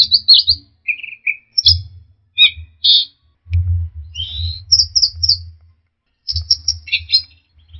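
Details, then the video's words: Song of orange-headed thrush, used to coax stressed, silent birds into singing: scratchy high chirps, brief trills and clear whistled notes in quick varied phrases, with a steady low hum under much of it. "pancingan Anis merah setres dan macet bunyi"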